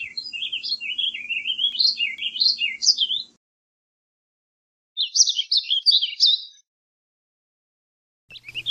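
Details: Warbling vireo, a North American songbird of deciduous woods, delivering choppy warbled phrases of quick bouncing notes, two phrases separated by a short gap, with a faint low hum underneath.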